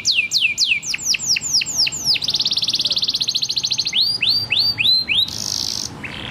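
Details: Canary performing tutor song for young birds and those that stopped singing: quick downward-slurred whistles repeated in a series, a fast even trill, upward-curving notes, and a short loud high buzz.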